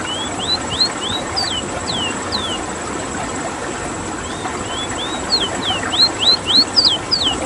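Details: Ruddy-breasted seedeater, called rowti, from Suriname, in rolling song: clear whistled slurred notes, some rising and some falling, given in quick runs of five to eight. A steady engine-like hum runs underneath.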